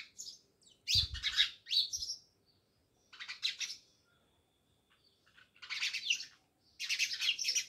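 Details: House sparrows near a village home in Jamnagar giving loud clusters of rapid, scratchy chirps in several bursts, with gaps between them and a short low thump near the start.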